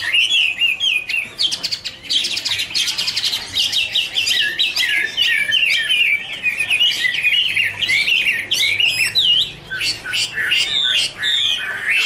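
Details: Duetting Chinese hwamei (Garrulax canorus), dancing and flicking wings, deliver a long, continuous warble: bright whistled notes rising and falling, fast trills and harsh buzzy bursts layered over one another without a break.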